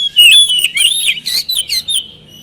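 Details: Short burst of oriental magpie-robin lure song: a clear rising whistle followed by slurred, buzzy warbled notes, repeated several times in quick succession.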